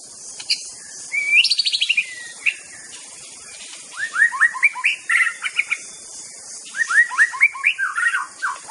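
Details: White-rumped shama song: a rising rapid trill early on, then clusters of quick upward-slurred whistled notes in bursts separated by quieter spells, over a steady high hiss.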